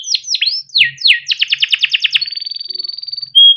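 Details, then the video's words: A kept yellow canary sings a long, fast, varied phrase of falling whistled sweeps, a quick rolling trill and a thin high buzzing trill, ending in a clear sustained whistle. "burung kenari gacor PANJANG untuk pancingan kenari paud || masteran kenari - yellow canary singing"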